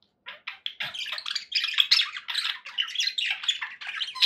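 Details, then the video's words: Budgerigar kept as a pet giving a rapid, busy warble of raspy chirps and squeaky notes, rising in loudness and packed tightly together. "1 hours of budgie sounds for pet parakeets to make tham happy"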